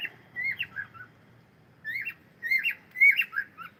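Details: Cockatiel sound and singing: crisp whistled notes sliding upward then falling, grouped in short bursts of three or four, a quiet pause in the middle, then a louder closing run.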